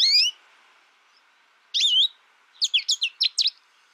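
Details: Tutor-raised American goldfinch kept apart from other birds gives a long rising-falling whistled call, a second similar call, then a rapid string of six short chirps.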